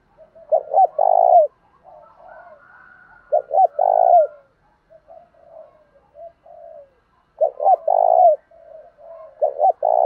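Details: Spotted dove cooing in the Thổ đồng voice style, used to provoke rival birds and train decoys. Loud, low, throaty coo phrases come every three to four seconds, with softer murmured notes between them.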